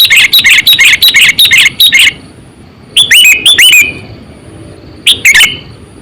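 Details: Lure sooty-headed bulbul, about eight to nine years old, kept for luring wild birds: a rapid run of sharp chirps for two seconds, then a cluster of bright rising whistled notes, and a final short pair.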